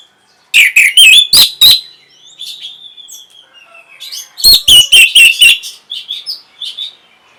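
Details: Orange-headed thrush in song, meant to stimulate breeding and prompt answering. Loud bursts of rapid chirps and whistled slurs alternate with quieter soft warbling passages. A second flurry of sharp clipped notes is followed by scattered fainter twitters.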